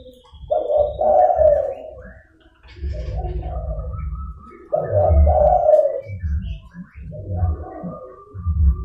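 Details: Zebra dove calling to lure wild birds for trapping: three rolling cooing phrases spaced a few seconds apart, each a short note into a longer vibrating one, with low thumping rumble and faint high chirps.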